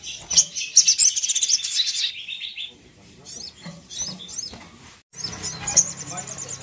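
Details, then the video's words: Ruby-cheeked sunbird sound meant to anger and provoke other sogon: a fast run of thin, very high chirps and trills for two seconds, then softer, scattered high twitters with faint low rumble. "Suara Yang Bikin Sogon Emosi dan Ngamuk"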